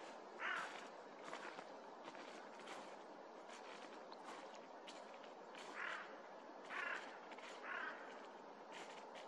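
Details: Eurasian pygmy owl (Glaucidium passerinum) giving short, shrill whistled notes, mostly about a second apart in a loose series, over steady hiss. Recorded at Narmoshagan in 2023.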